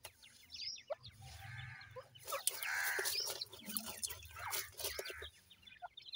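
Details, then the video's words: Grey francolin (irani teetar) chicks calling: a stream of thin, high, downslurred peeps in quick succession, some overlapping, with scattered clicks and tapping noises and a low hum underneath. "irani teetar chicks ki voice"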